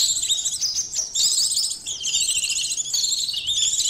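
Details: White-eye song from Indonesia, played to test emotion and arousal: a continuous, fast, twittering warble of high, jumbled notes, barely pausing.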